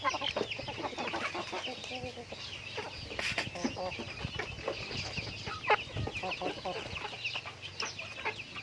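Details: Domestic chickens during everyday activity: repeated harmonic clucks, some drawn out, mingle with constant high-pitched chirping and occasional sharp knocks. A low background hum is also present.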